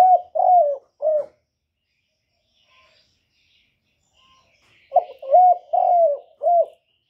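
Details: Spotted dove used to lure others, cooing in low hollow notes: the tail of one phrase, a quiet pause with faint distant chirps, then a complete four-note coo with a long falling third note.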